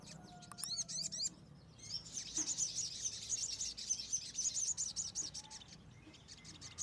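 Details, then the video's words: Kemade singing in the wild: a long, fast series of very high, thin chirps, with sharp rising notes at the start and steady low background hiss. "kemade di alam bebas"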